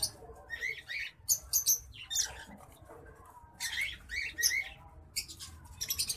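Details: Song of a green singing finch x black-throated canary hybrid: bursts of high, bright twittering notes in clusters separated by short gaps, over faint low room hum.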